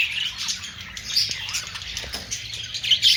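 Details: Steady budgerigar chatter: overlapping squeaky chirps and warbling notes, with a sharp whistled squeak close to the end.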